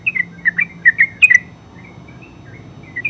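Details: Terucuk, the yellow-vented bulbul, delivering a short burst of quick, gurgling liquid notes, then a pause with faint trailing notes and one final chirp, over low steady hum.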